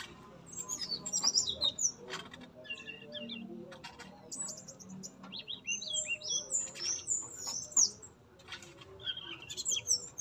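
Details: Yellow-rumped flycatcher male in a captive breeding cage, singing busily: thin, very high chirps and quick twittering phrases in clusters through the clip, over a faint low background hum.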